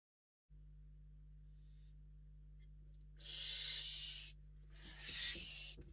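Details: Western barn owl in a nest-box webcam at Riet Vell reserve, Ebro Delta, where an unringed intruder, not a parent, entered the box, gives two harsh, hissing screeches about a second each over a steady low electrical hum.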